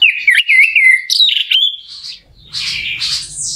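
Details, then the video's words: Orange-headed thrush singing as a lure to rouse another bird; opens with loud, slurred whistled phrases that dip and rise, followed by a softer, hissy, high warble over low rumbling noise. "PANCINGAN NAIKKAN EMOSI ANIS MERAH CEPAT GACOR"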